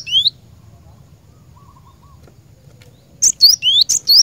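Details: Cinereous tit, lure song for training caged birds: a single rising whistle, a long quiet gap with faint soft tones, then a quick burst of clear upslurs and sharp high notes.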